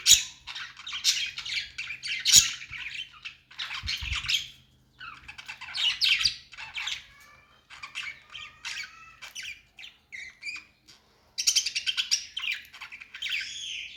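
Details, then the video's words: Budgies singing in bursts: harsh chatter and squawks, then thinner whistled and buzzy phrases, then a loud scratchy final burst, with occasional knocks. "Budgies singing"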